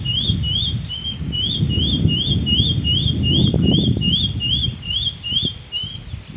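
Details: Scrub Greenlet, a vireo, at El Rey Marsh near Manuel Antonio, giving a long, steady series of clear, high slurred notes, a bit over two per second, over a low rumble of wind or distant background noise.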